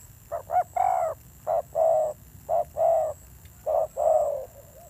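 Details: Fierce-toned calling by a wild-caught spotted dove: two quick clipped coos then a rising-falling longer note, followed by regular short-long pairs of mellow low coos, against a faint steady high tone.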